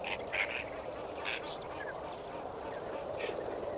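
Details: Lesser flamingos calling at sunrise at Kamfers Dam on 18 May 2024, a few loud nasal honks in quick bursts at the start, then softer scattered calls over the flock's steady background hum.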